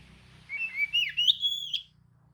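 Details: Oriental magpie-robin singing a provoking lure phrase meant to agitate other magpie-robins: a single smooth, fluty whistled run rising and dipping, climbing to a high sustained note before a sharp end, over a faint low hum.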